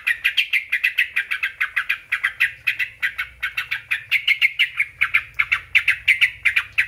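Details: Song of a sooty-headed bulbul, played to make other bulbuls answer: an unbroken series of quick, bright chirps at a fast steady pace for nearly seven seconds, with a faint low hum beneath.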